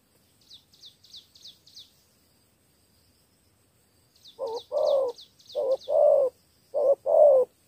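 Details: From Cà Mau, Vietnam, a spotted dove gives 'thổ 3 âm' three-note cooing. The clip opens with only faint high chirps from another bird; after four seconds, three loud short-long coo pairs follow.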